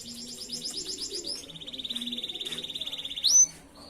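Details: Canary master song meant to train other canaries: a fast pulsing high trill, switching to a steady rapid rattle-like roll, ending in a sharp rising whistled note.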